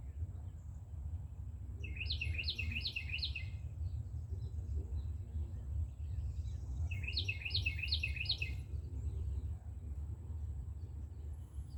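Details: Two rolling songs from a Carolina wren with a nest on an outdoor shelf, each of four rapid repeated whistled phrases, about five seconds apart, over steady low-frequency noise.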